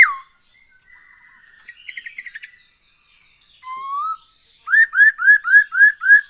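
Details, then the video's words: Black-throated laughingthrush song meant to lure birds into singing: soft buzzy chatter, a gentle rising whistle, then six loud upslurred whistled notes in quick, even succession. "Poksay HONGKONG GACOR SETIAP HARI ‼️Dengan Pancingan ini Bikin Burung Tambah gacor"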